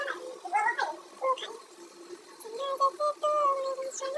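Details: A pet parrot kept indoors talks in short bursts of voice-like syllables. The syllables carry warbling harmonics, and some are drawn out into steadier, sustained tones near the end.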